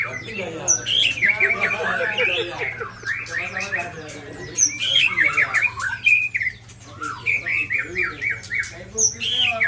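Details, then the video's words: Aceh white-rumped shamas in a confrontation, a Sabang bird under attack from Ujong Pancu and Tangse shamas. Loud overlapping whistles and harsh squawky chatter pour out continuously, bright clear notes dotted between scratchy buzzes over a low hum. "Murai Balak Sabang di serang Murai Ujong Pancu dan Murai Tangse"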